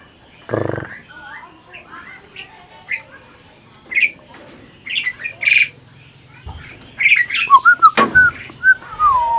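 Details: Asian pied starling, a caged parent bird, imitating speech: scattered whistles, squawks and chatter, then a burst of rising and falling whistled notes near the end, with a low thump early on.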